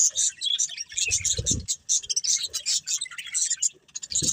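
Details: A breeding pair of pet budgerigars chirps continuously, a dense stream of high, rapid scratchy twitters and warbles with little pause, plus a few faint low knocks.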